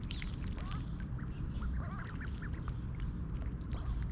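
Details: A wild mallard family, mother and nearly grown brood of six, at Snelli Pond, Tallinn, Estonia, one mid-July 2021 morning while fed oats; quick bursts of quacking calls in close succession over a continuous background of running water.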